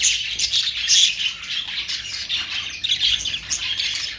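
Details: Budgerigars give bright, high chirps and short squawks, rising and falling in bursts amid steady flock twitter.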